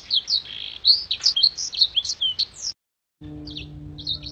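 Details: Black-throated canary singing rapid, high, slurred chirps and whistles as a master for training contest birds. The song breaks off briefly, then resumes over a steady low electrical hum.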